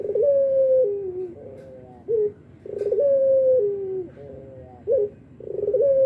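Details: Albino barbary dove, noted as calling freely morning, noon and night, gives low cooing phrases: a drawn-out even coo stepping down to a lower note, then a short hooked coo, repeated about every two and a half seconds in a quiet room.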